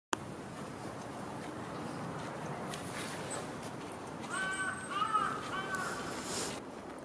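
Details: Japanese green woodpecker (Picus awokera) recorded on 11 March 2015, giving three loud, slightly harsh, downslurred calls about half a second apart over steady wind-like background noise.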